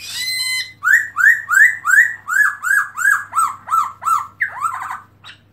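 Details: Black-throated laughingthrush with open-tail display, recorded 2017. A long held whistle leads into about a dozen loud arched notes that rise and then fall, repeated roughly three per second, over a faint steady hum.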